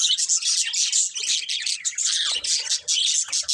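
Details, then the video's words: Budgerigar chatter, steady and loud: overlapping rapid high chirps and warbles running without a break, with faint soft knocks in the second half. "Cute Budgies Chirping Sounds"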